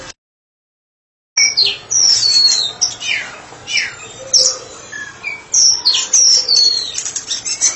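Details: White-rumped shama, locally murai batu, a therapy specialist singing ngeplong: after a brief silence, loud bright whistles, swooping downslurs and high sharp notes follow in quick succession.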